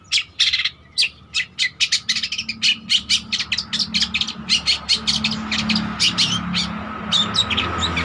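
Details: Long-tailed shrike (cendet trotol) singing steadily, used as a lure or master song for training: a fast, unbroken run of sharp, scratchy chattering notes, several per second, with a faint steady hum underneath.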